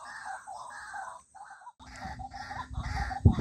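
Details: White-breasted waterhen calling: harsh, nasal croaking notes repeated in bursts, with a short gap near the middle, over low rumbling background noise.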